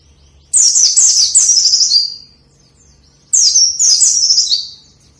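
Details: White-eye song meant to stimulate caged white-eyes that are reluctant to sing: two energetic, high-pitched twittering bursts of quick down-slurred notes, each about one and a half seconds long, with brief silence between them.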